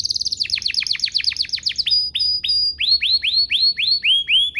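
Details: Canary singing to prompt other canaries to reply: a fast series of falling swept notes, then slower, evenly spaced rising whistled notes repeated about four times per second.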